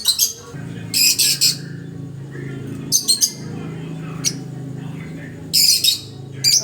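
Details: Newly arrived pet parakeet giving short bursts of scratchy, high chattering chirps, in clusters about every one to two seconds with quiet gaps between, over a low background hum.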